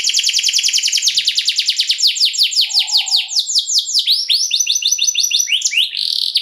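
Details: Canary singing a long, luxurious song meant to draw responses from other canaries: an extended rapid trill of repeated descending sweeps, changing into slower upward-curving notes and closing with a buzzy burst.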